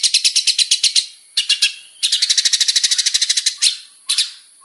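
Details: Male long-tailed shrike in full song from a lure recording rich in variations: bursts of quick rasping repeated notes separated by short pauses, with longer drawn-out squawks between runs.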